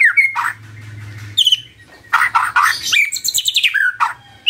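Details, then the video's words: Morning magpie-robin song meant to get a silent bird singing back: loud harsh slurred notes and quick twittering phrases separated by a short pause, with a faint low hum underneath. "Pancingan PAGI PAGI AGAR MURAI GACOR❗ murai diam pasti ikut NYAUT❗❗"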